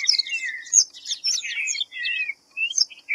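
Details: A white-browed fantail sings quick, high, squeaky notes that slur downward, then pauses briefly before a few more short chirps.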